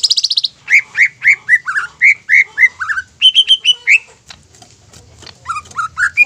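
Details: Greater green leafbird singing to stir other leafbirds into agitated song: a fast buzzy trill, then a run of rich whistled notes and quick chirps, a brief pause, then more whistles.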